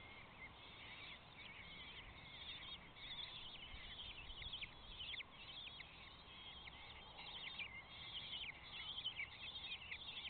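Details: Common kestrel chicks in a nest box calling for food: a dense, continuous stream of high, thin, trilling and chittering notes from several young, overlapping without pause against a low steady background hiss.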